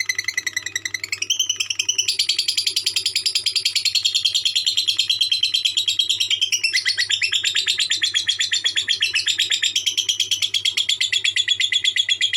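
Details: Lovebird giving its konslet-style song: a long, unbroken stream of rapid, buzzy chattering pulses that wanders up and down in pitch, high and shrill throughout, over a faint steady low hum.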